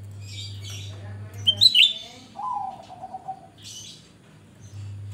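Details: Grey-bellied bulbul singing energetically, used as a lure to prompt other birds to sing: bright high chirps followed by a low, slightly descending whistled phrase with a wavering tail, over a steady low electrical hum.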